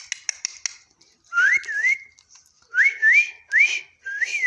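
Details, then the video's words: Parrot talking while it eats, giving rising, wavering whistles in four separate bursts after a run of sharp crunching clicks at the start. "parrot talking"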